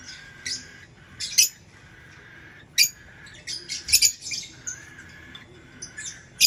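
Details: Lovebird calling in scattered, explosive high squeaks and rasping chirps, sometimes in doublets, spaced irregularly across several seconds.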